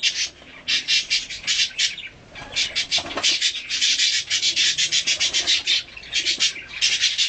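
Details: Budgerigar of a colour mutation, hand-tame, during feeding and cuddling; rapid rasping chatter in long trains of short harsh notes, with one brief quieter pause.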